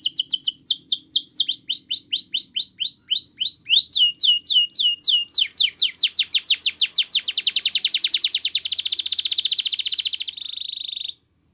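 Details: Belgian canary singing in the morning: a rapid series of high, downward-swept whistled notes that quickens into dense buzzy trills, changing phrase every second or two, and ends on a sustained rolling trill before stopping abruptly.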